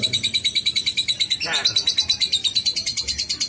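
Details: Shrill, steadily pulsing lovebird ngekek trill, evenly repeated about three times a second, briefly overlapped midway by a short human voice.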